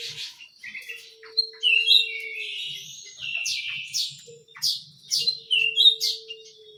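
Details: Small canary giving broken song: short high whistled slurs and chirpy bursts separated by brief pauses, some phrases louder and buzzier, over a faint low hum.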